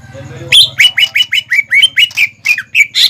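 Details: Greater green leafbird song meant for young birds to learn from: after a low hum, a rapid string of sharp, clipped whistles roughly four per second, each sliding downward.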